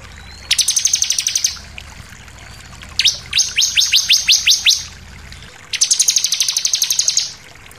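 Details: Bar-winged prinia singing as lure material to provoke other birds: three fast trills of sharp, high repeated notes, the middle one made of distinct downward-sweeping strokes, with gaps between phrases.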